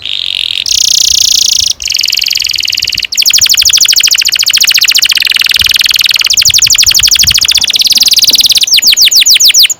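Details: Singing canary in a long rolling song (ngerol panjang) played as a training lure for young birds: high buzzy phrases give way to long, fast rolling trills that shift speed, closing with slower sweeping notes.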